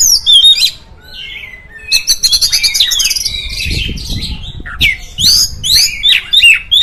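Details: Song of an oriental magpie-robin used to provoke others of its kind; high swooping whistles, a rapid buzzy chatter, then sharp upslurred and downslurred notes, with some low rustling underneath.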